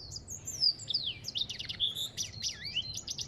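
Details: Song of an African goldfinch: tinkling high whistles, falling slurred notes and quick buzzy chatter in an unbroken stream.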